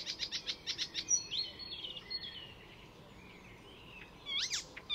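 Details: Icterine Warbler, a bird that borrows other species' calls and songs, at Fysingen reserve near Stockholm, Sweden: a rapid series of sharp repeated notes, then drawn whistles, a pause, and a harsh burst at the end.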